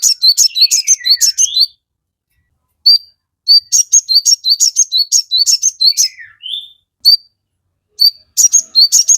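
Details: Crested jay in full song, used as a lure to make other birds answer: bursts of high, sharp chip notes repeated rapidly, separated by short pauses, with occasional down-slurred whistles.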